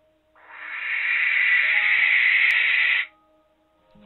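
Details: At night a young male barn owl at a UK nest tower, courting during his first breeding season, calls for a female with one long, harsh, hissing screech of about three seconds, steady and rasping, then silence.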